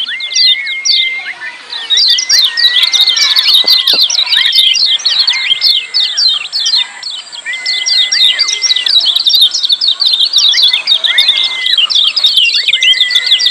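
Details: Lemon-bellied white-eyes calling ciak, noisy and crowded, with relentless high chirping throughout and a long level whistle that recurs every couple of seconds, each ending with a downward flick.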